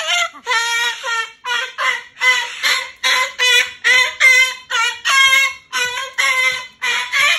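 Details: Moluccan cockatoo kept as a pet, protesting at bedtime about entering its cage: a steady series of loud, nasal, ringing squawks, a little over one per second, each short and rich in overtones.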